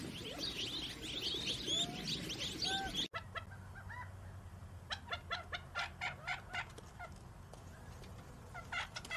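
Gambel's quail give a busy chatter of overlapping clucks and whistled notes, then after a break a quick run of short, sharp chips, about two per second.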